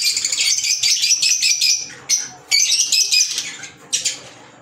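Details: High, shrill chirping from green Fischer's lovebirds, a busy run of squeaks for two seconds, then separate sharp bursts that fade out toward the end.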